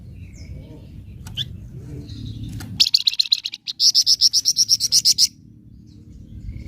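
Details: Flamboyan bird giving its nyecret song, used to provoke untrained flamboyan birds: a quiet start with a faint low hum, then a fast series of sharp, high, ringing chips, about four a second, for over two seconds.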